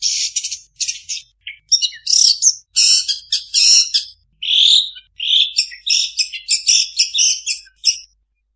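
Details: Long-tailed shrike song rich in imitated notes of other birds, with dense bursts of high chirps, buzzy trills and short whistles in rapid, varied phrases separated by brief pauses. No other sounds intrude.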